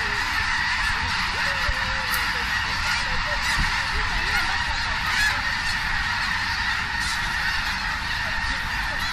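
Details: Enormous snow goose flock settling in Richmond, British Columbia, Canada, October 21, 2005; mostly a broad, even roar of massed voices, with only a few distinct honks early on before blending into steady noise.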